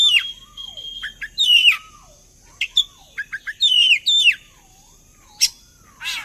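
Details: Oriental magpie-robin (kacer) song serving as a lure so birds sing along: rich warbled phrases with looping, wavering lower whistles, short clipped notes and a few sharp accents, separated by short silences.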